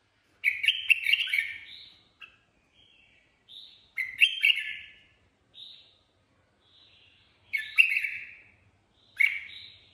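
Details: Red-whiskered bulbul (chào mào) in improvised ché song: four chattering, bubbly bursts spaced a few seconds apart, with soft single notes in the gaps.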